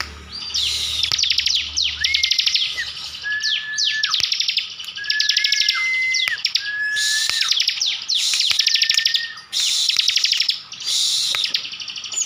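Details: Bar-winged prinia, a kept bird from Slawi, Central Java, in full 'tembakan' song: loud repeated phrases of rapid high trills, each with a descending sweep and a flat whistled tail, recurring every couple of seconds.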